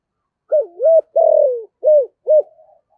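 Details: Decoy spotted dove calling in the thổ style. After a brief silence comes a dip-and-rise coo, a long rough croo that falls slightly at the end, then two short clipped coos.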